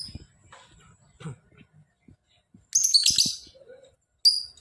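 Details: Lovebird singing a ngekek, a harsh, buzzy, rapidly pulsed trill lasting under a second. A shorter burst follows about a second later. Faint knocks and rustling sit in the background.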